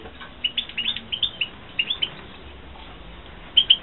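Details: Captive-bred European goldfinches, 2016, uttering short, bright, high chirps in quick pairs and triplets, a pause, then two final louder notes, over a low steady hum.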